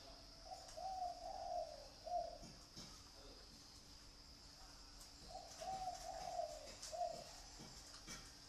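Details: Pet dove kept in Vietnam gives a soft, low cooing phrase of several rolling notes ending in a short coo, repeated twice with a pause between, over faint background hiss and a steady hum.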